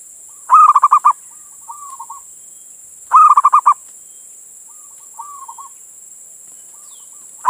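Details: Male local zebra dove from Indonesia calling a female, used as a lure to draw other doves: two loud cooing phrases, each a long note then a quick run of throaty pulses, separated by soft lilting coos, with another phrase starting at the end.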